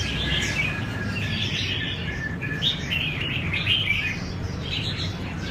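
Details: A kept red-whiskered bulbul rehearsing for a singing competition sings rich, chattering, bright and varied warbled phrases over a steady low rumble of background noise.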